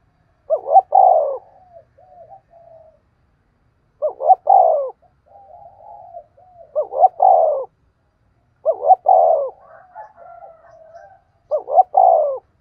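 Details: Trapping decoy spotted dove cooing steadily, five phrases roughly every two and a half to three seconds, each a quick double note and a long falling coo followed by soft muttered notes.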